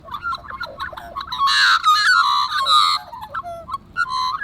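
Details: Australian magpies recorded over several months, singing a rich run of fluting, warbled whistles around mid pitch, with louder harsh, broadband bursts in the middle and short varied phrases before and after.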